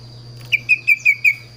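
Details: Kaso-kaso bird singing a run of five clear, even whistled notes, each slightly falling, about five per second, with a low electrical hum and thin high tone in the background.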